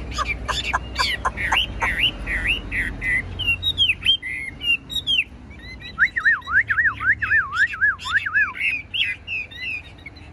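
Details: A hand-tame 'bánh tẻ' Chinese hwamei kept in a cage pours out rapid chirps and clear whistles, moving into a rolling, bouncing series of looping notes near the end, above a faint low hum.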